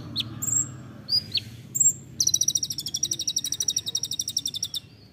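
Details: Olive-backed sunbird (kolibri ninja), songbird training recording in 'nembak rapat' style: a few thin high chirps, then a fast, even trill of sharp notes lasting about two and a half seconds and fading at the end.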